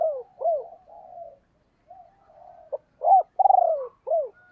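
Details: Cooing female spotted dove used to rouse male birds: arched low hoots and drawn-out soft coos, a pause, then a clipped note, a loud swelling hoot, a vibrating rolled coo and a final downcurved hoot.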